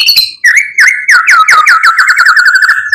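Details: White-rumped shama song used as a lure to stir up other birds: a fast run of repeated swooping whistled notes, each dipping and rising, delivered in a steady rolling series.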